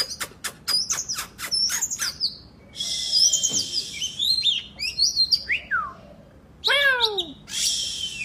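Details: Oriental magpie-robin in 'gacor' full song: a quick string of dry ticks and short chirps, then high fluttering warbles, downslurred whistles and a loud layered falling phrase, ending in a harsh high burst.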